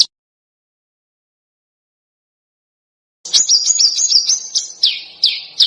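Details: Bird song on a training recording for contest birds, marked as harsh and dense. After about three seconds of silence come quick, high, whistled slurred notes, then a few falling, piercing squeals.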